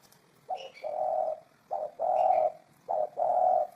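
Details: Spotted dove from a 2018 collection giving its deep, mellow coo three times: each phrase a short note followed by a longer droning note, about every 1.2 seconds, with faint chirps of other birds behind.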